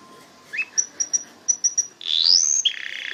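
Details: Canary giving a series of short, high ticking notes, then a loud, rising whistled sweep. A rapid buzzy trill follows at the close.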